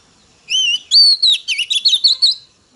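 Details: Female Oriental magpie-robin giving a phrase meant to rouse male birds. A wavy whistled note opens, then a long high whistle dips down, and about six bright, evenly spaced chirps close it.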